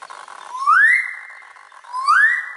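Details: Magnificent riflebird at Moreton Telegraph Station, Cape York, giving two loud, pure whistles that sweep upward and then hold steady, spaced about a second and a half apart, over a faint hiss.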